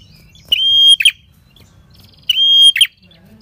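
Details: Prinia, a red-headed type, singing continuously as a lure for trapping wild prinias: two phrases, each a steady high whistle held about half a second, then sharp buzzy chattering notes, over a quiet background.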